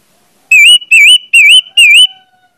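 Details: Orange-headed thrush song, played as a lure to make other orange-headed thrushes sing: four loud, wavering whistled notes in a steady series, each about a quarter second long, over quiet background.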